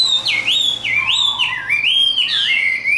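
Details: Tame caged Chinese hwamei singing fighting song: clear rich whistles, each phrase a smooth dip-and-rise slur, repeated in a rolling sequence.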